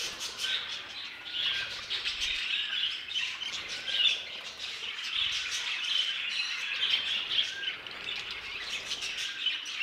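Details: Budgerigars of a violet mutation keep up a busy, raspy twittering with occasional squawks and thin whistles, the sound continuous and layered.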